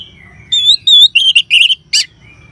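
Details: Orange-headed thrush singing in the ngeban style, used as a lure to get caged birds singing: a faint thin whistle, then loud harmonic whistled notes and quick slurred pairs, ending in a sharp buzzy burst over a low hum.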